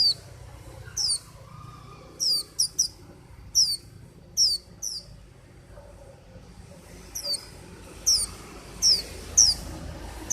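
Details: Singing white-eye giving clear, high, downslurred whistles in loose bursts, some notes doubled, with a quiet pause in the middle before the notes resume at a quicker pace. Soft background hum throughout.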